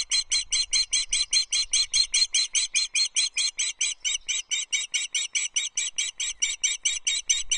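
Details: Osprey calling during feeding at the Loch Arkaig nest on 19 May 2023, as a small breakfast is delivered. A steady, unbroken run of high whistled chirps, roughly three per second, continues throughout with little background noise.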